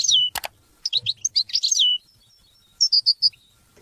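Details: European goldfinch song for teaching and motivating hunting and mating: a sharp click, then quick liquid twitters and a down-slurred whistle, a pause, and a closing run of four clear high notes.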